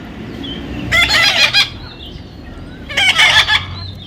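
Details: Parrot, described as talking, letting out two loud rough screeches about two seconds apart, each broken into several harsh pulses, with faint thin whistles after them.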